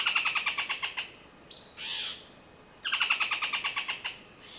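Buff-throated foliage-gleaner giving two quick runs of harsh, evenly spaced notes, about nine a second. A brief arching note sounds between them.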